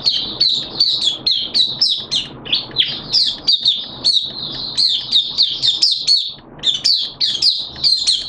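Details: Malaysian Oriental white-eye, a captive hobby bird, singing its 'buka' (opening) song on Sunday 21 June 2023: a rapid run of high, sweet chirps and slurred whistles, repeated almost without pause.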